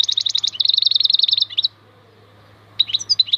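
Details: Rapid, even string of buzzy high chirps from a goldfinch known as maknine khalwi. The bird breaks off briefly, then resumes with sharper twittered notes over a faint background hum.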